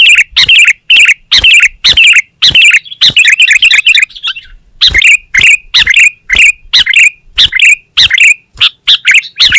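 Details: Sooty-headed bulbul pouring out a long, dense sequence of loud, clipped chirps with slurred endings, nearly continuous with only tiny gaps.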